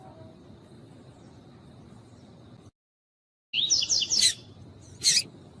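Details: Female double-collared seedeater calling to warm up the male: after a steady hiss and a sudden gap, a short run of high, twittering notes breaks in, followed by a single sharp chirp.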